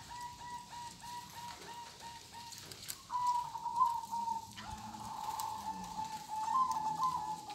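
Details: Local zebra dove singing kong style, opening with evenly spaced soft repeated notes, then longer warbling, trilled coo phrases.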